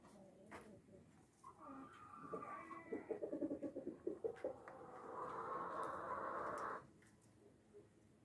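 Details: Brahma rooster crowing: a run of short, choppy, stuttering notes builds into a long held, slightly hoarse note of about two seconds that cuts off abruptly, with faint clucking before it.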